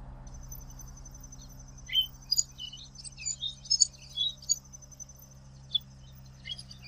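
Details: Common waxbill singing: a quick series of high chirps and short buzzy notes over about three seconds, followed by a few isolated high tweets, with a constant thin high whine and low hum in the background.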